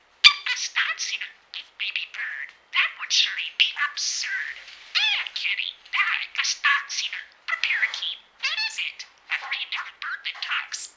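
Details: Pet budgerigar, a male, talking: a rapid run of chattering, squeaky mimicked speech phrases mixed with chirps and warbles, nearly continuous with brief pauses, high-pitched and buzzy throughout.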